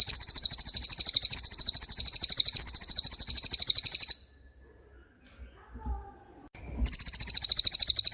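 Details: Common iora in 'roll speed' song: a long, even, high-pitched rolling trill of quick repeated notes lasting about four seconds, a pause with faint low noise, then the trill resumes.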